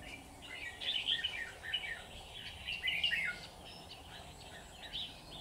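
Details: Caged decoy Red-whiskered bulbul singing in a trap set for wild birds. Two clear bursts of quick, chirpy, warbling notes are separated by quiet gaps, with a brief softer phrase at the end.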